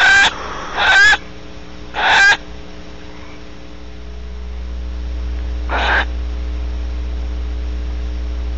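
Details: Post-mating wheezing from a female Barn Owl, Audubon Starr Ranch, California: three quick hoarse hisses close together, a pause of several seconds, then a softer fourth, as a low rumble rises beneath.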